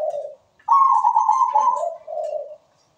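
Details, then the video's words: Singing zebra dove (perkutut), recorded as a lure to get other doves singing: a low short coo, then a long loud level coo breaking into lower bubbling notes, all within about two seconds. "MEWAH PERKUTUT GACOR SUARA MERDU"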